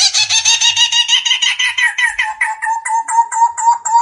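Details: Megalaimidae barbet, Vietnamese Cu Rốc: rough, grating chatter of rapid pulses giving way to cleaner, hollow repeated notes at a steady pitch, about two per second near the end.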